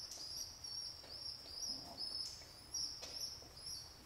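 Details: Baby pigeons kept as pets, fed by their father alone after a hawk took their mother; a continuous string of shrill, thin squeaking whistles, several per second, over light shuffling noises.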